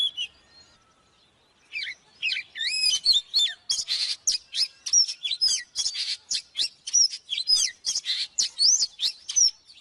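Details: Intense song of an oriental magpie-robin used for training birds to sing: after brief quiet, a rapid run of looping whistles and harsh, scratchy bursts repeated about twice a second with no pause.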